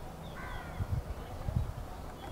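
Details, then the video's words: A house crow gives a single short, harsh, nasal caw, partly masked by low rumbling wind or handling noise, on 9 April 2023. "House Crow"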